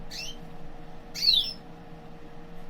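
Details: Al mosaic canary, one of a newly bought breeding pair whose female is starting to build a nest; it gives two brief, bright chirps a second apart over a steady low hum.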